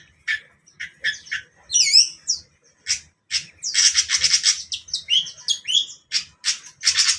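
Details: Morning song of a long-tailed shrike: scratchy, buzzy notes packed closely together, with a sweeping whistled trill near the two-second mark, then dense harsh chattering that runs on almost without pause.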